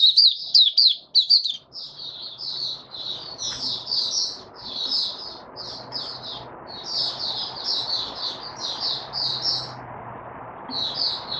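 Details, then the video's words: White-eye dated 08-01-2022 singing its opening song: sharp twittering at first, then quick bursts of high chirpy phrases about twice a second over steady background hiss and low hum. "Mata Puteh Raja Stablizing his form buka sing 08012022"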